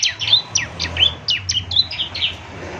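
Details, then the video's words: Ciblek semi singing in lively 'gacor' style, meant for morning playback so other birds answer: a quick string of about ten high chirps, some sliding down, others ending in short level whistles, with a low hum beneath. "ciblek semi gacor, putar tiap PAGI agar ciblek semi ikut nyaut bunyi GACOR"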